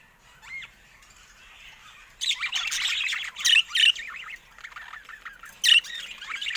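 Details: Caged budgerigars: one thin whistled note, then after two seconds a busy stream of high chirps, squawks and scratchy warbling.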